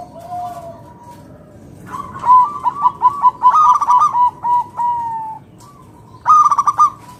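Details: Local wild-type zebra dove song meant to lure other doves into singing. A long series of rhythmic, bubbling coos with stuttered bursts and a held tone ends in another loud rapid phrase.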